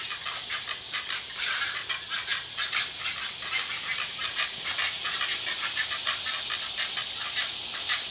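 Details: A pair of great egret fledglings in sibling rivalry after a feeding, one bullying the other; steady run of dry clicking notes, roughly two each second, against a heavy hissing backdrop.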